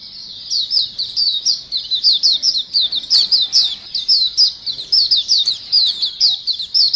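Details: Lively chorus of white-eyes used to lure birds: steady, rapid high twitters and down-slurred chirps, many birds overlapping without a break.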